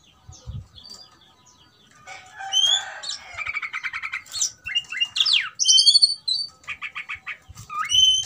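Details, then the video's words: Oriental magpie-robin, provoked to fight, sings quieter at first, then loud harsh buzzy rattles, steep down-slurred whistles and high clear notes, with a few soft knocks. "BIKIN EMOSI dasar Kacer "EDAN" tarung tak mau diam"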